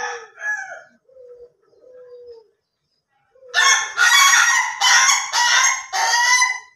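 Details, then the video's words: Ayam Ketawa laughing chicken crow in the slow or durasi style. A few quiet drawn-out notes, a pause, then four loud raspy bursts that cackle like laughter, each with a stuttering pulsed texture. "AYAM KETAWA SLOW VS AYAM KETAWA DURASI"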